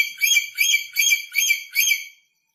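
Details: Newly arrived, aggressive red lory from North Maluku repeating five harsh, rasping screeches in steady rhythm, about two per second, before falling silent.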